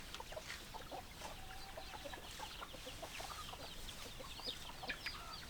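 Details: Chicken flock with hens clucking: a dense chatter of short, clipped clucks and peeps from many birds at once, continuous throughout, with a constant noisy backdrop.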